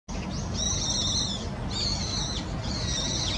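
Naumann's thrush giving three thin, high, slightly wavering calls about a second apart, over a steady low rumble of background noise.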